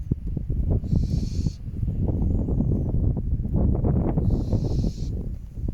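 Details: Barn owl pair nesting in an old croft house hiss loudly on a windy November night, possibly a male urging the female toward a new nest site: two harsh, breathy hisses, each under a second and about three seconds apart, over heavy rumbling wind.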